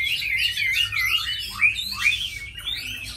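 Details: Tame Chinese hwamei, a bird described as a good fighter that sings well, gives a short run of loud, varied whistled phrases that slide up and down, with a few sharp downward notes near the end.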